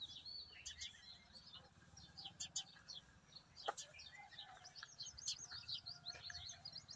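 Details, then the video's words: Several sparrows chirp in busy, overlapping chatter of short high notes over a low rural hum, in a maize field with trees under a cloudy sky. "Sparrows Sounds"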